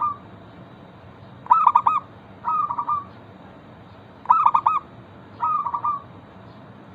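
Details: Local zebra dove lure song meant to get other zebra doves singing: paired cooing phrases, a sharp stuttering burst of coos then a softer rolling trill, repeated twice within seven seconds above a faint steady hum.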